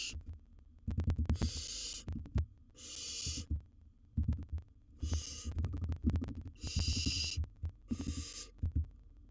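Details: Wild baby barn owl in a nest box with a large gerbil as prey: five harsh, breathy hissing bursts of about half a second to a second each, over heavy thumping and scuffling from movement in the box.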